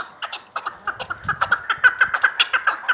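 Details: Chukar partridge from Vanj: scattered clucks that build into a steady, quick sequence of chuck notes.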